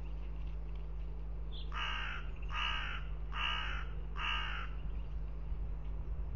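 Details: Hooded crow in Riga, Latvia, on 10 April 2021, during a crow fight, giving four harsh, raspy caws about one every 0.7 seconds, over a steady low hum.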